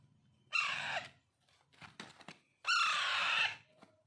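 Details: Alexandrine parakeet chicks, locally called pahadi parrot, during daily hand-feeding as pets: two loud harsh screeching bursts about a second long, separated by softer rustling and clicking noises.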